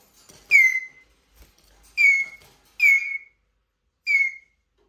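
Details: Plaintive squeaks from a Eurasian jay known for mimicry: four separate descending whistled squeaks at uneven gaps of about a second, bright and clean against a quiet background.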